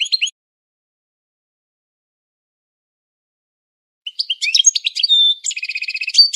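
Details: European goldfinch training song, mostly silence before a late burst of chattering twitters ending in a buzzy trill.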